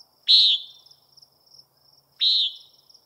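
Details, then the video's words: Two rasping, nasal peent notes from a common nighthawk, about two seconds apart, each an abrupt buzzy burst with a short fading tail; a faint continuous high whine runs underneath. "Common Nighthawk Calling"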